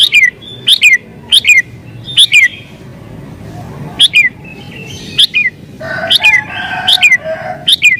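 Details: Agitated sooty-headed bulbul song meant to call in wild birds: bright chirps with downward slurs in irregular bursts, a quieter gap in the middle, then a denser cluster of notes near the end.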